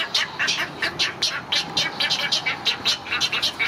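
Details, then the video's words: Begging from great egret chicks as the parent feeds them, Gatorland, April 2021: rapid rasping, chattering notes in close succession, roughly eighteen in under four seconds, insistent and unbroken. "Great Egret Feeding Chicks"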